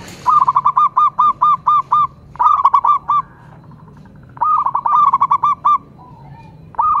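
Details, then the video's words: Local zebra dove from Indonesia in full song, a run of evenly spaced, clipped coo notes, about seven in quick succession, then shorter rolling bursts and a longer rapid series, with soft hum beneath. "cukup sekali dengarkan perkutut lokal ini manggung"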